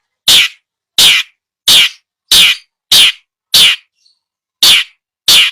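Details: Long-tailed shrike recording for training a bird that has stopped singing: eight loud, grating, rasping notes, each about a third of a second, repeated steadily roughly every 0.65 seconds with one longer gap.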